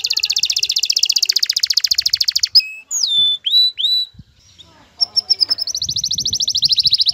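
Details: Excited male canary singing to court a female: a long fast buzzy trill, then sweeping whistled slurs and clear notes, ending in another rapid trill.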